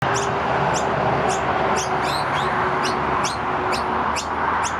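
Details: Two juvenile noisy miners being fed by their parents, early spring, Keppera, Brisbane, Queensland, Australia, 17 August 2023: thin high chirps repeated roughly twice a second over a steady broadband background hiss.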